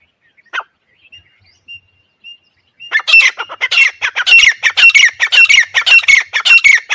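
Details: Grey francolin calling, used as a hunting lure: after a few scattered single notes, a loud harsh series begins, with rapid grating notes repeated almost twice a second and continuing steadily to the end.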